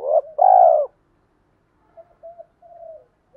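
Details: Spotted dove cooing, male and female voices played to stimulate caged birds to coo: one loud, low, smooth hollow coo, a short lead-in note just before it, then three softer, fainter coos trailing off after a pause. Otherwise quiet.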